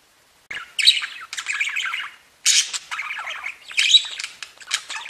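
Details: Budgerigars singing: loud, dense chattering warble of buzzy squeaks and chirps in long bursts, broken by a short silence midway.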